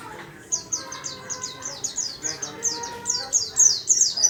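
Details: Caged warbling white-eye in a small cage singing busily: a rapid run of high, thin, downward-slurred whistled notes, about three per second, growing louder toward the end, with a faint lower hum beneath.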